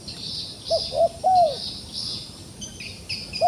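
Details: Wild pigeon held in a trap yet still putting up a fight, uttering three rising-falling coos in quick succession, the last longest, then one more at the end; insects whirr steadily overhead.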